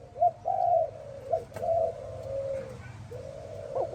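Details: A spotted dove coos in the morning against a hissy, humming background: short clipped notes alternate with long, level, fading croos, then a final rising coo.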